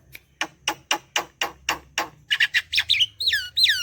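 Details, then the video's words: Javan myna in full song, a steady series of harsh rasping notes about three per second, then high squeaky whistles and two loud descending slurred whistles at the end. "Suara jalak kerbau gacor"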